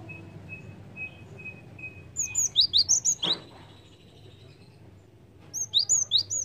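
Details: Java sparrow calls used as a lure for birds: a faint thin tone repeated at first, then a rapid run of high, sharp chirps with a brief noisy thump, and a second chirping burst near the end.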